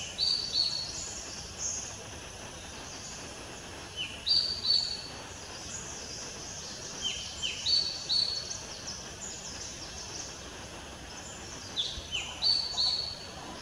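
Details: Female common flameback giving high, thin bursts of chattering notes in short runs every few seconds, over a steady hiss of background noise.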